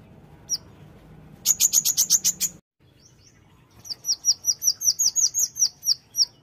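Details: Konin white-eye singing in strong form with pleci-style phrases: a fast burst of sharp, high ticking notes, a short pause, then a long run of bright, slurred high chirps repeated about two to three times a second.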